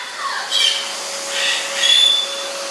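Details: Female Goffin's cockatoo, excited by a running vacuum cleaner, fluffing, flapping and hanging like a bat, gives three harsh, rasping screeches, each about half a second long, over the vacuum's steady whine.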